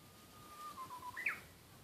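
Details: Japanese bush warbler song: a long, level whistled note slides into a quick flourish that jumps sharply higher near the end, heard quietly over soft background hiss.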